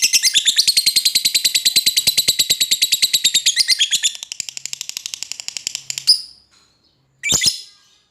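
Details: Lovebird calling out to an opponent: a long fast chattering run of harsh high notes, about three per second, fading after four seconds, then a brief shrill burst near the end.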